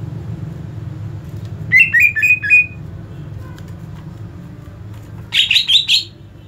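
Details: Greater green leafbird giving agitated 'ngentrok' song meant to provoke other birds: two short bursts of quick warbled, slurred whistles, the first lower and the second higher, separated by a quiet pause over a low steady hum.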